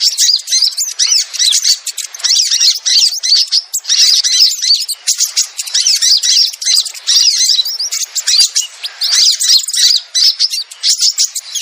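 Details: Sogon lure recording meant to bring wild birds down: nonstop overlapping chatter of high squeaky chirps and scratchy notes, loud throughout, with short pauses between rapid bursts.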